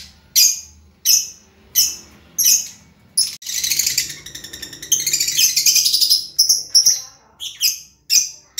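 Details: Lovebird, a brightly coloured cage bird, giving sharp high chirps about once a second, then a long rapid buzzy chattering run, followed by more clipped chirps.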